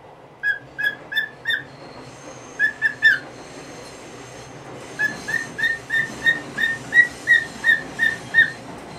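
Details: Nineteen-year-old pet cockatiel making a fuss in the morning to have the cloth lifted off its cage: clear, repeated high squawks in short groups and a longer run, over a constant background hiss and hum.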